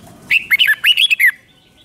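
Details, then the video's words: Thai red-whiskered bulbul giving a doubled song of the five-syllable style: a rapid run of six or seven rich, warbling whistled notes that rise and dip, with a short quiet pause before and after. "เสียงนกกรงหัวจุกเบิ้ล2 เบิ้ล3 เพลง 5 พยางค์"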